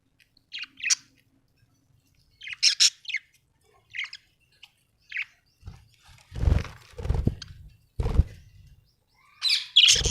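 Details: Budgerigars kept at home: short scratchy chirps every second or so, then low thumping and rustling noises mixed with more harsh chirps, ending in a loud squawk.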